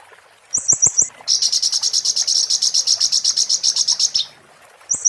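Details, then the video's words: 'Muntah beling' style song of an Oriental white-eye, used to tutor magpie-robins and shamas: a short burst of four high notes, then a long, very fast, glassy trill lasting nearly three seconds, with faint clicks beneath. "master konin muntah beling..!!!cocok untuk kacer/murai materi burcil"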